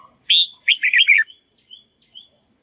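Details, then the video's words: Red-whiskered bulbul practicing its voice as a song model for white-cheeked birds. A single loud phrase opens with a clear whistle and runs into a quick, bubbling sequence of slurred notes, then soft, thin whistles trail off. "Chào mào luyện giọng cực hay để ép chim má trắng học giọng"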